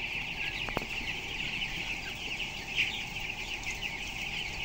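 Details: Crowded closed-house barn of 7,000 broiler chicks, 12 days old and 423 grams each; shrill peeps blend into a constant high chorus, one chirp briefly louder, with two short clicks early on and a low machinery rumble.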